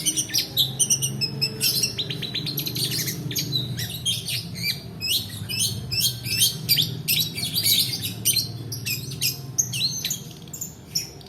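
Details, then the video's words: Long-tailed shrike song used as a lure to stir lazy-singing birds and as tutor material, with a long rolling delivery: a dense, rapid stream of sharp chirps, buzzy trills and sweeping whistled notes over a low background hum. "PANCINGAN PENTET MALAS BUNYI ROLL DURASI COCOK UNTUK MASTERAN"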